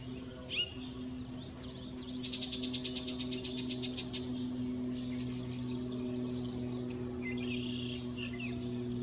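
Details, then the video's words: Yellow-breasted chat at Goose Lake Prairie near Morris, Illinois, on 7-9-17, giving a fast, even series of high clicking notes lasting about two seconds, with scattered chirps around it, over a steady low mechanical hum. "Yellow-breasted chat"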